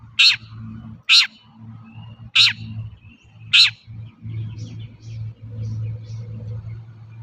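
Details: Long-tailed shrike calling in a lure recording for untrained shrikes: four loud harsh rasps in quick succession, then softer scratchy chatter, over a steady low hum.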